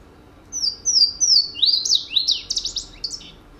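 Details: Louisiana Waterthrush song, a West Virginia forest bird: clear, high, down-slurred introductory whistles, then a quick, jumbled run of sharp chips tumbling downward, over a quiet background.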